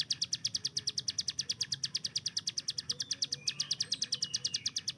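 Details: Fast machine-gun 'tembakan' song from a kept hill prinia. Steady high, dry clicking notes repeat quickly throughout, while other birds add thin rising whistles in the background.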